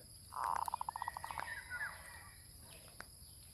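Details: Zebra dove used as a lure: a burst of rapid, evenly beaded cooing notes that fade over about a second, over faint background birdsong and low rustling.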